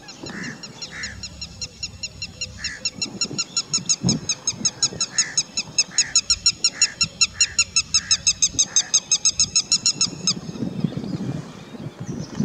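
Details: Indian spot-billed duck in Sikar, Rajasthan, India, giving a run of short nasal quacks, roughly two per second, over a fast, high, dry ticking chatter from another creature.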